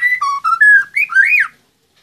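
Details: Captive White-rumped shama in an online song contest from Magelang, Indonesia: a short sequence of clear, flute-like whistles stepping between pitches, ending in a rising and falling slurred note.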